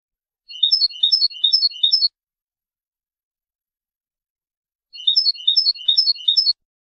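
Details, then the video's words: European goldfinch singing in Palestine: a crisp phrase of four quick, rising, tinkling note groups, given twice with identical form about four seconds apart, separated by silence. "Goldfinch singing palistine"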